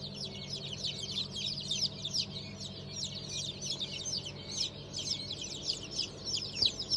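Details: Newly hatched chicks of Cream Legbar, Sultan, Fizan, Cochin and İspenç chicken breeds, hatched 5 May 2023; a dense, overlapping chorus of high, sharp peeps from many chicks, roughly three per second, over a steady low hum.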